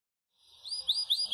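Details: Yellow Belgian canary singing loudly in campainha style: after a brief quiet start, a quick run of four bright, rising whistled notes, about five per second.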